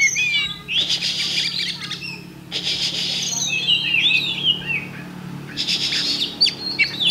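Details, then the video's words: Oriental magpie-robin (kacer) at a songbird contest, Thursday 8 October 2020, giving twisting whistled phrases and chirps between loud bursts of harsh, broadband noise, with a low steady hum underneath. "Kacer Bagong Ngunci Mulai Semi"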